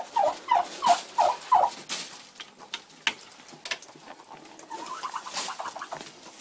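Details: Egg-bound Bronze turkey hen in February calling a quick run of five loud yelps, then softer scattered clucks and a faint rising sequence of notes amid knocking sounds.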